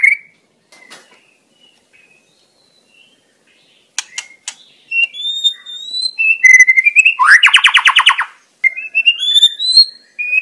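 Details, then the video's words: White-rumped shama singing in the wild after a near-silent start: scattered thin whistles, then a gliding rising whistle, a dense buzzy rattle and more high, sweet whistled notes. "Sura merdu Burung murai batu sedang ngoceh gacor di alam liar"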